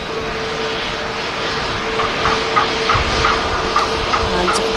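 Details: Steady mechanical rumble of vehicles and aircraft at a busy airport on a hot Sunday, with a constant engine hum, a sustained mid tone and distant talking voices. No animal sounds.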